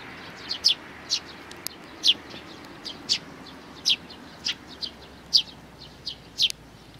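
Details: Three nestling sparrows on 12 May 2019 give a lively series of high, descending chirps, roughly two per second, fairly evenly spaced, with a low hum underneath.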